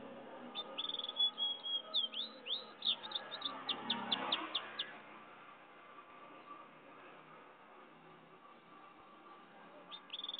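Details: Pintagol, a goldfinch and canary hybrid, singing: a quick series of about a dozen sharp, high chirps and slurred whistles over roughly three seconds, then a faint steady hum with one more brief chirp at the end.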